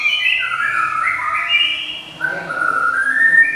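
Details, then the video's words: Java sparrow with a clear, ringing song of fairly low, drawn-out whistled notes that bend and glide, broken by a short dip before a second run of smooth tones. "SI CABE RAWIT GLATIK,SUARA CEMELENTING TIADA TANDINGNYA"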